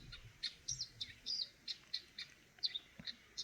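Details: Eurasian nuthatch chirping: a quick series of short, high, sharp chirps and a few brief downslurred notes, spaced irregularly about every quarter second, over a faint low rumble.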